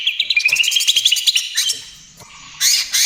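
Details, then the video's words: Greater green leafbird delivering a rapid trotol trill for luring and therapy of other birds. A fast, evenly pulsed run of slightly rising notes fades to a pause, then a loud harsh burst follows. "SUARA CUCAK IJO TROTOL GACOR, AMPUH UNTUK PANCINGAN DAN TERAPI"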